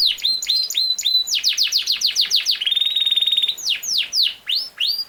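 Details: Song of a Yorkshire canary, the king size canary breed: clipped whistles, then a quick series of falling sweeps, a long even mechanical-sounding trill, and a few slower loud downslurred notes.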